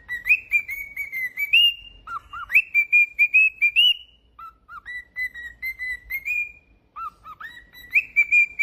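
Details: A pet cockatiel on a singing spree sings a clear whistled tune of level notes around a high pitch, broken by short lower dipping phrases, repeated in bursts.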